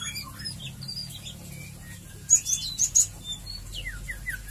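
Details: Murai batu, the white-rumped shama, delivering ngeriwik ngeplong song as lure audio for singing birds: sparse whistles, a cluster of four loud very high piercing notes near the middle, then a few short downslurred whistles.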